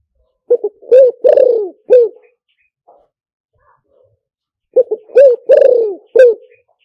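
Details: Spotted dove luring call: two identical cooing phrases, each with short hiccuping notes, a long falling croo and a clipped final coo. A pause of about three seconds separates them, with no other sound.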